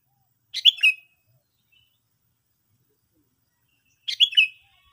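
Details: Two bubbly, chortled phrases from a sooty-headed bulbul about three and a half seconds apart, each a fast burst of liquid notes trailing into a drawn-out downslurred whistle; background quiet.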